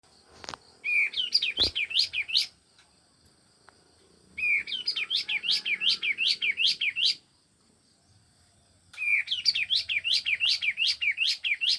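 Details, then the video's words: Male grey-backed cisticola, kept in an aviary in front of a house, singing bursts of quick, rising chirped notes, about five per second, in phrases of two to three seconds separated by short pauses; a steady high hum runs underneath. "kaos tembak jantan"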